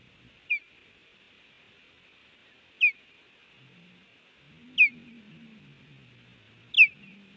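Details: Osprey calling from a Montana nest at Hellgate on 30 June 2019 as an intruder lands and another passes. Four piercing downward chirps about every two seconds, with a low rumbling murmur rising in the background.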